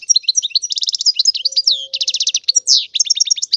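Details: Continuous, exuberant European goldfinch song. Tinkling chirps mix with repeated fast buzzy trills and one drawn-out nasal slur. It is delivered without pause throughout.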